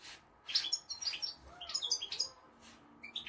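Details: Two European goldfinches, one six years old, sing quick, bright, tinkling twitters of short high notes in bursts, with brief pauses between phrases.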